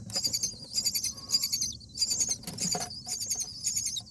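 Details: Common myna at a nest on the eighth day of feeding chicks, calling its mate out to fight nest bugs: rapid, scratchy, very high buzzy bursts in quick succession, some overlapping, over a low murmur.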